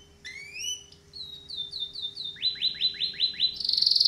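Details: Canary singing: rising whistled slurs, then a run of short downward-sweeping notes repeated rapidly, a faster series of buzzy sweeps, and a closing trill; faint low steady hum underneath.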